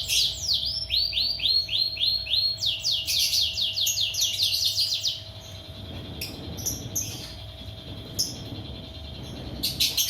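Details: Lovebird from Bandung, trained with kapas tembak and jenggot fills, delivers a quick series of steep descending whistled sweeps, about four per second for five seconds, followed by scattered high notes over a low steady hum.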